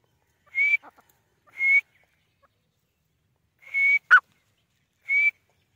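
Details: Female grey francolin (teetar) calling: four clear, level-to-slightly-rising whistled notes, each under half a second, spaced unevenly over about five seconds, plus one short sharp note; otherwise silent background.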